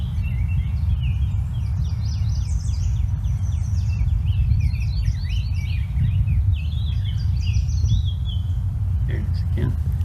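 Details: Rose-breasted Grosbeak sings a long run of sweet, robin-like phrases, notes purer, less warbly and slightly pinched, including a really sharp note, over a steady low rumble of background noise.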